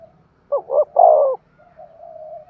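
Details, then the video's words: Low mellow thúc gù cooing from a spotted dove: two brief rising notes, then a long, full, falling coo, and a soft steady tail note fading out afterward. "Tiếng chim cu gáy thúc gù cực sung"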